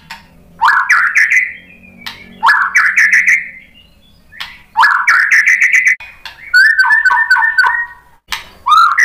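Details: Lure song of a white-rumped shama, meant to rouse other shamas to reply: loud bursts of rising chirps and slurred notes come about every two seconds, with short pauses between and a soft low hum beneath.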